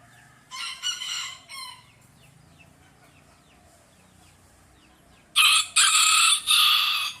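A rooster crows twice in loud, harsh multi-part bursts, first one farther off and then one very close, with quiet pauses between.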